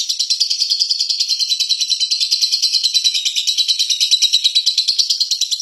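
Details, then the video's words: A lovebird gives one long, unbroken, shrill chattering trill of fast pulses held high and steady, with no other sounds. The long trill is offered as a tutor recording for other birds. "Love Bird Suara Ngeke Puanjangg Bingit"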